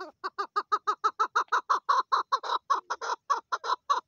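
A female chukar gives a fast run of hoarse, clucking chuck notes, about five a second, steady for four seconds with no other sounds.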